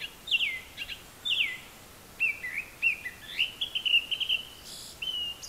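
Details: Japanese thrush singing unseen from high up, apparently copying other birds: a rapid run of loud clear whistles, first two falling slurs then shorter level and rising notes, with a brief high trill, over steady background noise.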